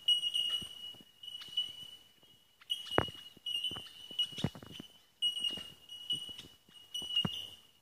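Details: Bell miners calling at D'Aguilar National Park near Brisbane, Australia: a chorus of high, pure, bell-like tinks ringing almost continuously at one steady pitch, in bursts of a second or two, with scattered clicks and rustles below.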